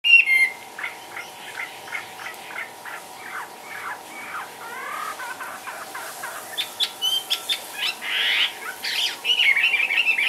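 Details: Caged Chinese hwamei offered for sale, hopping and dancing about; scattered soft whistled and chipping notes build into louder, denser phrases toward the end, with a steady faint background hum.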